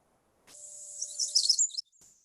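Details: Pacific Wren, a small bird with a big loud voice, gives its cheerful song, heard all winter in the forest: just over a second of very high, rapid, tumbling trills and twitters, loud and bubbling, over a faint steady hum.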